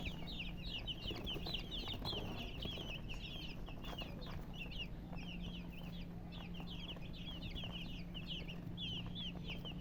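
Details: Many chicks of domestic chicken chirping together: dense, continuous high thin peeps, short downward-sliding notes overlapping throughout, with a steady low hum beneath.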